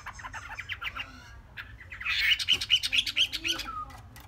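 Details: A three-month-old captive Chinese hwamei gives quick rattling notes, then a louder run of rich, clear whistled phrases about two per second, before fading back to chatter.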